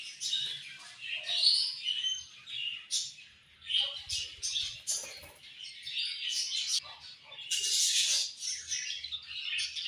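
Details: Budgies in a flock give busy high-pitched chirps, short whistled notes and scratchy warbles, rising and falling in waves, with a loud cluster of squeaks toward the end.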